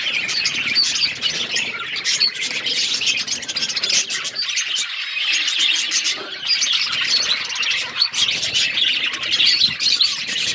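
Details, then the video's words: Chorus of budgerigars recorded on February 18, 2024: constant busy chirping and squeaky warbling from many birds, rising and falling in loudness, with a short quieter dip midway before the chatter resumes. "budgies bird birds chirping sounds"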